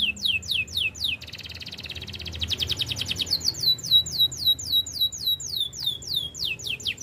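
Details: Belgian canary singing a training song, opening with fast downward-sweeping whistles, a dense rattling trill in the middle, then brisk repeated falling notes at a steady quick pace.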